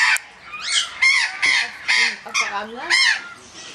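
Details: Group of Patagonian conures, among them two preening pairs, kept in an aviary at the Botanical Gardens, Funchal, Madeira; loud, rough screeching squawks, several rising then falling in pitch, given in quick succession.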